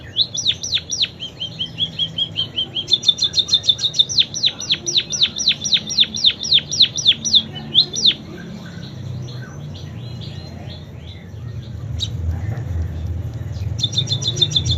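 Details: Munia in full canary-imitation song: long runs of rapid, high, downward-sweeping notes mixed with quick trilled stretches, a quieter middle section, then a final burst of fast notes.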